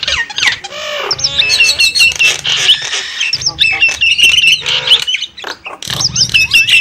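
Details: Javan mynas chattering as a lure for wild birds: harsh squawks alternating with rapid wavering high whistled phrases, plus nasal harmonic notes, with a brief lull before a final loud burst.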